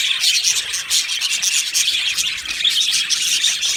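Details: Aviary budgerigar colony singing and chirping together, a bright, scratchy mass of high twitters with scattered sharp whistled notes rising above the constant chatter.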